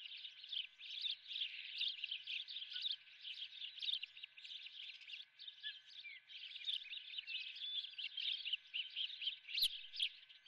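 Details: Osprey on the Dunrovin nest, breakfasting on a live golden fish; dense, high, piping chirps pour out almost without pause, with one sharp knock near the end.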